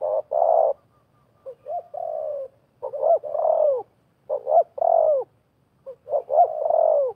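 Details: Wild spotted dove and decoy spotted dove competing in a calling duel during bird trapping. Short soft lead-in notes give way to longer, downward-curving coos, repeated in phrases with brief silent gaps.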